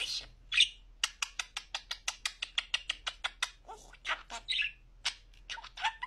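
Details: Pet budgerigar, a clear talker, produces a short squeak and then a long run of crisp, rhythmic clicks, about four per second. It ends with rasping, warbled speech-like chatter.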